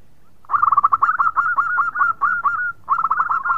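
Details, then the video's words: Local zebra dove singing actively: a rapid, stuttering run of soft mid-pitched coos rolling into a sustained trill, a short pause, then another quick burst of cooing notes. "Perkutut Lokal Gacor Suara Merdu bikin yg lain bunyi"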